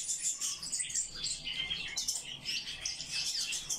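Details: A brief burst of song from a Eurasian blackcap kept in captivity: quick, very high twittering notes and thin whistled slurs tumbling together in a continuous chatter.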